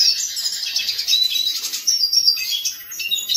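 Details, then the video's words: Hooded siskin singing a rapid, high, twittering stream of chirps and thin whistled notes, continuous and jumbled over a few seconds. "Hooded siskin song"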